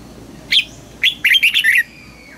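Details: Single song phrase from a caged red-whiskered bulbul in contest training: one sharp opening note, a short gap, then a rapid, rolling run of five cheerful warbled notes ending in a slightly falling tone.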